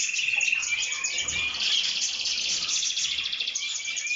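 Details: Loud canary song: a thin high whistle opens into a tight, fast trill and bubbling, buzzy rolls, with another bright whistled note closing the unbroken phrase.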